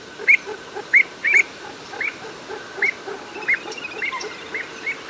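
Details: Little grebe in the Orkney Islands giving short, high, piping notes at an uneven pace, roughly one or two a second, over a faint background hum.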